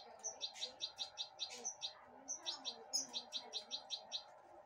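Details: Caged goldfinch hybrid eating broccoli from a person's hand: quiet, high, bright chirps repeated rapidly in two bursts of about ten notes each, separated by a short pause, with a faint low hum beneath.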